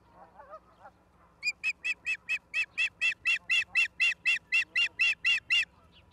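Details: Osprey at its nest in Charlo, Montana, on 09/11/2023 at 16:04, giving a fast, even series of sharp, piercing chirped whistles, about four per second, after a few softer notes. Steady low hum underneath.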